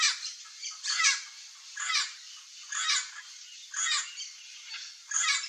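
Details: One of a pair of chestnut-eared aracaris visiting riparian forest in central Brazil in search of wild fruit, giving harsh, scratchy, high-pitched calls about one burst a second, over a faint background hiss.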